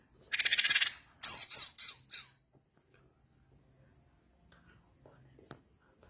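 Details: Orange-headed thrush in active song: a quick scratchy rattle, then four high whistled notes descending slightly, followed by several seconds of near silence with a faint click.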